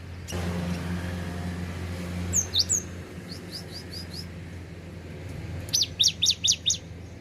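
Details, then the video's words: Cinereous tit song from Takengon, Central Aceh, Indonesia: a short pair of high notes, a soft string of faint notes, then a clear burst of five rapid, high, swooping whistled notes near the end, over low rumbling background noise. "GELATIK BATU ACEH FULL BONGKAR ISIAN"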